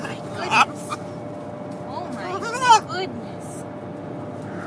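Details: A pet Catalina macaw riding in a vehicle on a road trip from Massachusetts to Washington talks in a few short, speech-like bursts with rising and falling contours, over a low, steady engine-like hum.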